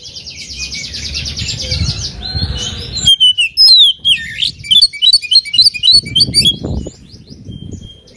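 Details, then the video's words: An oriental magpie-robin sings fast, varied phrases of sweet whistles and scratchy chatters, rising and falling, delivered aggressively at a rival amid low background hum, used to provoke rival birds into singing. "KACER GACOR BIKIN EMOSI LAWAN,PANCINGAN KACER EMOSI BIAR NGOBRA"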